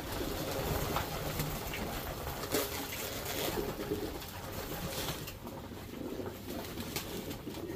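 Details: Racing Homer domestic pigeons in a breeding-section loft give low, throaty cooing that rolls on in soft repeated bursts, with rustling, wing flutters and room noise.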